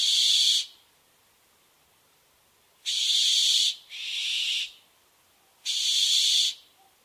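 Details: Barn owl giving four harsh, hissing screeches, each under a second long, with the third softer and following closely after the second; quiet gaps between bursts.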